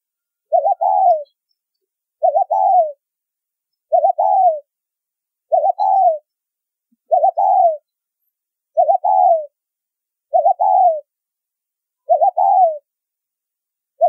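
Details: Spotted dove in the deep-toned 'thúc rút bổi' calling style, with nine evenly spaced phrases about 1.6 seconds apart, each a quick wavering double note running into a mellow descending coo, over complete silence.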